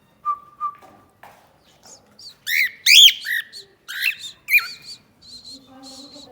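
A cockatiel gives two clear whistles, then a run of loud, harsh rising and falling chirps.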